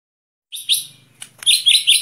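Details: White-rumped shama set outdoors for breathing exercise opens with a soft high chirp, then bursts into a loud, fast, rich warbling phrase.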